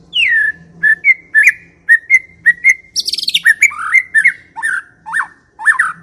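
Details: White-rumped shama song played as a lure to prompt silent shamas to sing: a series of clear whistled notes, a brief burst of high rough chatter, then lower swooping whistles.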